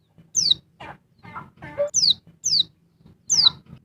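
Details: Female oriental white-eye calling to agitate a male, sharp high descending whistles interspersed with lower, harsher chattering notes from a nearby bird, over low rustling.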